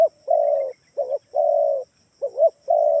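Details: Spotted dove calling as a lure to draw replies from doves at home: a double-bumped short coo, then a long flat mellow coo, repeated in even succession; a faint constant whine sits high above.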